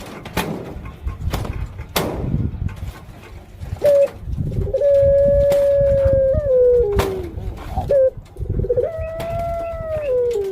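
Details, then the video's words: Caged female puter pelung dove about to lay eggs, kept as a pet, gives long, level, mid-pitched tonal coos, each held about two seconds and ending with a slight downward bend, after several sharp knocks and low thuds. "Suara Indukan Burung Puter Pelung"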